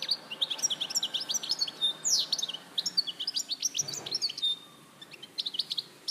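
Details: European goldfinch, Larache, 2014: a lively stream of high tinkling chirps and quick slurred notes, with a brief sweeping phrase near the middle and a faint low thump around four seconds.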